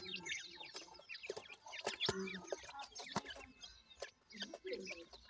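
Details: Several grey francolin chicks peeping together, a dense run of high squeaky chirps and downslurred peeps broken by sharp taps.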